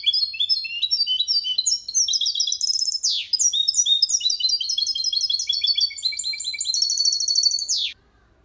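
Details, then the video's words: Goldfinch crossed with canary, a cage bird singing a clean Malaga copy to help males and young birds memorize; a long, unbroken stream of high twittering trills with two sharp downward sweeps. "Mixto jilguero cantando copia malaga _ Hybrid of goldfinch singing for training songs"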